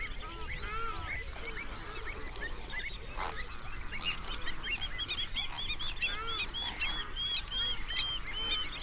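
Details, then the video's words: Wild flamingos gathered in hundreds on a national park lake in South Africa's Overberg region, recorded binaurally. Near birds give clear, arched, goose-like honks over a dense background gabble of the wider flock. "Flamingo sounds"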